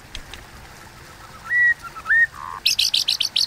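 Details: White-rumped shama provoking fighting song: two drawn-out upslurred whistles and a short low burst, followed by a run of rapid, repeated, high buzzy notes.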